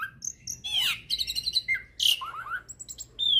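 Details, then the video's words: Hybrid starling in energetic song for tutoring magpie-robins and kacer birds, mixing high thin whistles, harsh rasping bursts and descending whistled notes, with a low background hum. "Masteran Jalak Hybrid Gacor Full Isian Untuk Masteran Burung Murai, Kacer"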